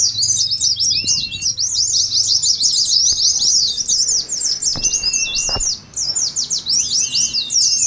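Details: Ngeriwik song of Oriental white-eyes (pleci), a training track that mimics a contest: unbroken high, scratchy twitter of quick chirps, with long flat whistles near the middle and a couple of soft low knocks.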